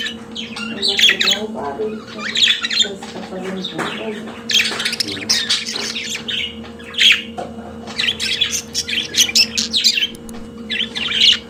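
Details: Pet budgerigar warbling in dense, rasping chatter and squeaky chirps that build toward the end, with a lower muffled sound early on and a steady background hum.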